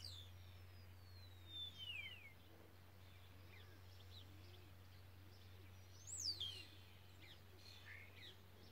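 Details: Spotless starling singing in Aragon on 6 June 2017: a long, clear whistle sliding steeply downward, then a second sharp descending whistle after a quiet pause, with faint chirps between and a steady low hum underneath.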